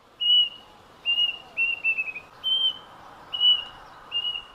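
Plaintive cuckoo giving short, clear, level whistles at a high pitch, about one every half second to second, over a steady background hiss.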